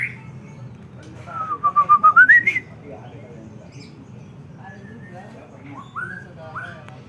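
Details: White-rumped shama song meant to rouse other shamas: one loud pulsed whistle that dips and then climbs, followed by softer short whistled notes against a quiet low hum.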